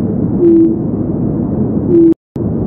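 Japanese night heron giving two deep, steady hoots about a second and a half apart, each short and level in pitch, over a steady background hiss.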